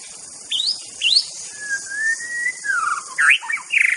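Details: Wild white-rumped shama: two sharp rising notes, a long smooth whistle, then a burst of twisting, slurred notes and a fast trill, with high insect hiss throughout.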